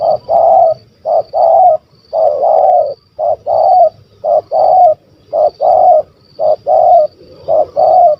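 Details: Spotted dove with a big, stuttering voice of the 'kuk 1 2' type, recorded on a hunting outing: repeated low coos in paired and single notes, roughly one phrase per second, steady and loud against faint background rumble.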